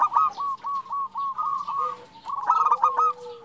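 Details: Female zebra dove calling to attract a male: a steady series of short clipped notes, about four per second, building into a louder stuttering cluster of coos near the end.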